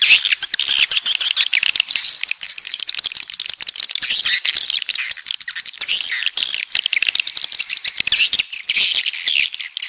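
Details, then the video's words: Swiftlets, 'walet pantai' type from the south: a crowded flock of high twittering chirps, interspersed with dry rapid clicks like tapping. "Suara Walet Pantai Dari Selatan"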